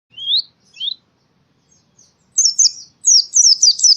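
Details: White-eye (pleci) song from Central Java, Indonesia, sounding as in the forest, used as training audio: two rising high whistled notes, a pause, then rapid buzzy descending twittering phrases, very clean with no other sounds.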